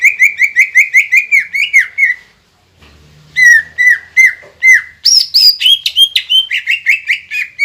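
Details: Green leafbird singing loudly to provoke other birds into singing: a rapid series of clear whistled slurred notes, a brief gap, then more whistles rising into higher sharp chirps and mimicked phrases, steady and energetic.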